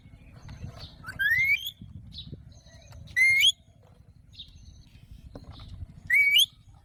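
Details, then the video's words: Short, rising, slightly buzzy calls from an Alexandrine parakeet, three spaced about two and a half seconds apart, with faint soft chirps between them and low background rumble. "Alexandra Parrot Natural Sounds | Mitthu Ki Awaaz | Parrot Ki Awaaz"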